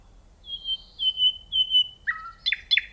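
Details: Nightingale phrase of three long, pure, level whistles followed by a few quick, sharp, rising and falling notes.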